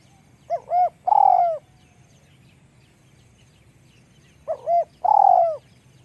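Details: Spotted dove described as having a small voice gives two phrases about four seconds apart, each a pair of brief rising coos then a prolonged, slightly descending coo; quiet low-pitched background noise throughout.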